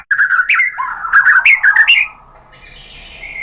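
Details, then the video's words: White-rumped shama (murai batu), a kept songbird, played to make other shamas answer; a quick run of fluty slurred whistles lasting about two seconds, followed by faint thin tones. "MURAI BATU jadi EMOSI NYAUT GACOR ¦ PANCINGAN MURAI ¦ SHAMA BIRD"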